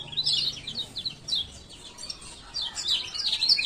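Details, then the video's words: Male Lemon-bellied White-eye, Lombok, calling 'ciak ciak' to coax silent birds: clusters of high, thin chirps separated by brief gaps, quickening again toward the end. "Pancingan Kecial Kuning Malas Buka Paruh"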